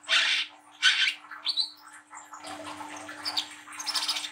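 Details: Brown-throated sunbird, a young spotted trotol bird, gives loud ngriwik chatter meant to stimulate other young birds. Two strong scratchy bursts open the clip, then thinner twittering and denser rasping notes, with a constant faint electrical hum beneath.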